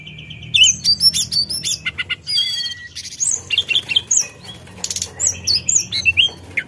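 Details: A forktail provoking rivals with dense, rapid chips and whistles: a flat opening whistle, then quick high notes, a short gap, and a busy stream of varied slurred notes.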